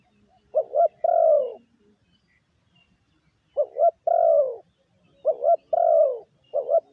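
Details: Lure call of a spotted dove: phrases of two quick short coos followed by a long, drawn-out descending coo. The phrase is repeated about three times with brief silent gaps between.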